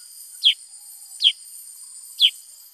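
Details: Three loud, sharp, descending whistled chips from a Black-headed bulbul, under a second apart, with a constant high drone behind.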